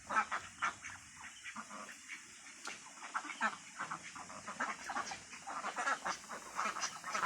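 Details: A mixed group of mandarin ducks, mallards and Pekin ducks quack in a steady chorus: many short, nasal calls overlap, some fast and chattering, with no pauses longer than a moment.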